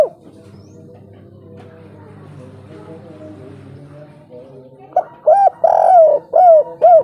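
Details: Spotted dove (Spilopelia chinensis), local wild bird with a three-part "kuk 3" coo, giving loud, hollow, mid-pitched coos in a quick run of about five notes after a few seconds of faint murmuring.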